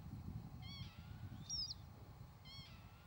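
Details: Two nasal, arched Northern lapwing calls about two seconds apart with a brief shrill squeal between them, against a background of low wind noise.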